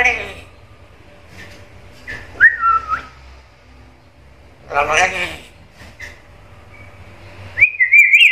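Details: Talking black-capped lory mimicking an assortment of sounds: scattered clicks and a slurred whistle, a throaty speech-like phrase midway, then a sustained, wavering high whistle at the end.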